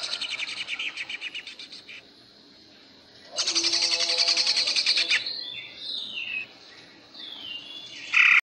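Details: Greater green leafbird trained for song contests, singing in the ngentrok style: a chattering high burst, a short pause, then a louder, richer run of rapid notes, followed by scattered short whistles and a sharp closing phrase.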